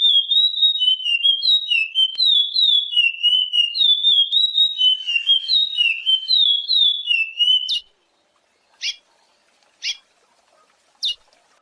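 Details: Chestnut-bellied seed finch singing its classic song: clear, sweet whistled phrases of sliding, warbling notes run together for about eight seconds, followed by silence broken by three short sharp clicks.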